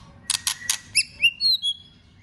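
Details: A few sharp snapping clicks from a white-rumped shama being roused for contest singing, followed by short, high, pure whistled notes.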